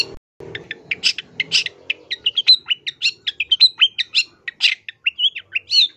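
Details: Long-tailed shrike singing energetically in a full song packed with varied fillers. Rapid mix of harsh chips, short buzzy notes and thin rising whistles at about one per second, with a low hum early on.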